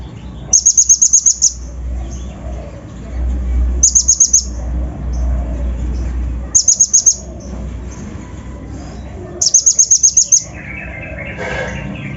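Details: Van Hasselt's sunbird (kolibri ninja) coarse fill-in lure song for provoking untrained birds: four short, fast bursts of very high ticking, each several seconds apart, over a low rumbling background.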